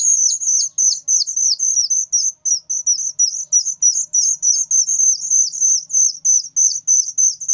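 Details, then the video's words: Young whistling thrush, very loud: a fast, regular run of shrill high chirps with falling tails, close together and tireless, with faint low sounds in the background. "suara anakan burung ciung Batu sangat nyaring"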